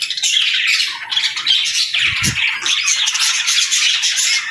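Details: Budgerigars squawk and chirp in a lively, scratchy warble, with a brief soft thump just after two seconds.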